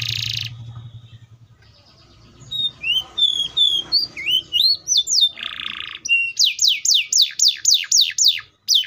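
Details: Canary (Serinus canaria) song opening with a buzzy burst, then varied rising and falling whistles, another buzz, and a fast run of repeated swooping downward notes.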